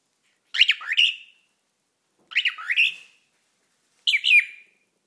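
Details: A 5-month-old cockatiel whistling, giving three bright, swooping whistled phrases, each under a second, spaced about every second and a half.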